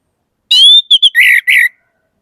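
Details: Single varied phrase from an orange-headed thrush: a long, level whistle, two short notes, then buzzier warbled notes lower down.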